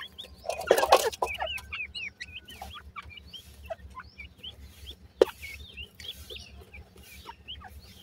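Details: Indian grey francolin chicks peeping: a busy run of high, hooked cheeps follows a loud rustling burst at the start. One sharp knock comes midway, and a low hum runs underneath.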